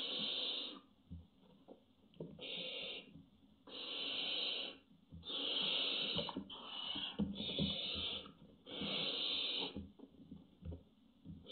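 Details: Barn owls at a webcam nest box in intimidating behaviour, 24 June 2017, giving harsh, breathy hisses about a second long, repeated irregularly with short gaps, against faint rustling and knocks in an enclosed space.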